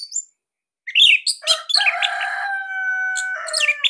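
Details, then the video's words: Orange-headed thrush of the Bali type, kept as a cage bird, its loud, tight song used as a master recording to train captive thrushes. After a brief silence come sharp chirps, then a steady sustained whistle beneath scattered notes, ending in high twitters. "Kicauan ANIS MERAH"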